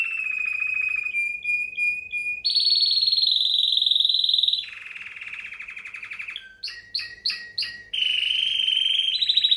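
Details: Song of a Timbrado canary: long metallic rolling trills held at changing pitches, low then high then mid, with a burst of short choppy notes near the end.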